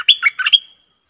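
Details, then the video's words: A short bright warbled phrase from a red-whiskered bulbul, a few quick slurred notes ending in a drawn-out clear tone that fades away. "เสียงนกดอกแตงEp.97 Birdsound เพลงเบิ้ล/เสียงใสน่าฟังSuara pikat merbah lekir"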